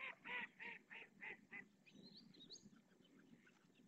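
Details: Purple swamphen parents at Riet Vell reserve in the Ebro Delta calling three chicks to be fed: five loud, harsh, nasal honks in quick even succession, then faint twittering notes over a low wetland hum.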